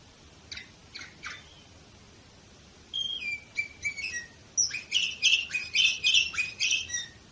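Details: Canary from Varna, Bulgaria, recorded in 2018: a few sparse chirps, a pause, then a quickening series of bright whistles building to a dense, rapid chattering trill.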